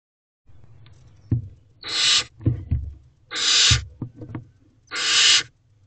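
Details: Barn owl owlets in a nest box on 4 May 2023 at 7:56 pm, standing, giving three harsh, breathy hissing screeches about 1.5 seconds apart, each under a second long, between soft scratching and knocking thuds.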